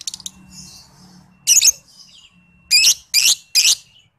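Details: Lovebird trigger song for training other lovebirds, from a young 'paud balibu' bird: scratchy twittering opens, then four loud, harsh, shrill bursts, three of them in quick succession near the end, with a faint steady whine underneath.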